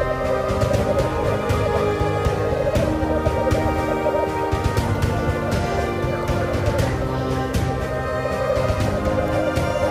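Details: Loud, dense instrumental music with a steady beat and sharp percussive hits fills the whole stretch, with no animal sound.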